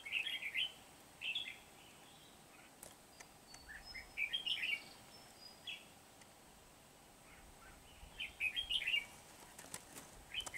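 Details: Red-whiskered bulbul recorded during trapping of wild birds with a decoy at Kim Bôi, 8 September 2019: short bright warbled phrases, high-pitched and slurred, given in bursts every few seconds against a steady background hiss.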